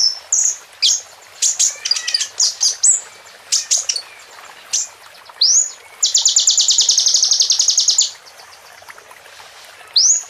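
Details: Plain prinia singing: sharp, high chips and rising whistles, then a fast, buzzy trill held for about two seconds before more upslurred notes.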